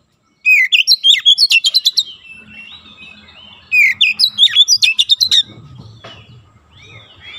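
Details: Oriental magpie-robin song used to train young birds toward quick, tightly packed 'nembak' delivery: two rapid bursts of some fifteen clipped, whistled and scratchy notes each, separated by a softer warbling pause.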